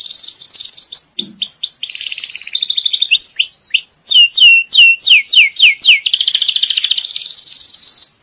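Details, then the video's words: Belgian canary in a breeding room, song meant to teach young birds and bring the female into breeding condition: continuous high rolling trills interrupted by series of repeated downslurred whistles, then a long steady buzzy trill. "تغريد كناري نار لتعليم صغار وجهوزية الأنثى"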